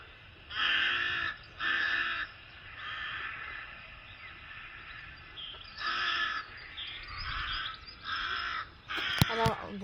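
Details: Rook (Corvus frugilegus) calls played back at the Domaine des grottes de Han: harsh, grating caws in spaced bursts of about a second, with a person talking between them and a sharp click near the end.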